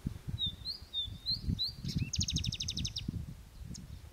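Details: Song of a Palestine sunbird (local name sudud): several high whistled slurs, a short dip, then a fast run of about ten identical sharp notes, with low thumping noises throughout.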